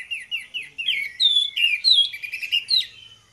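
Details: Two orange-headed thrushes in ngeplong song, meant to coax other birds into singing; a few repeated short rising whistles lead into a fast, loud warbling phrase of slurred notes that fades at the end.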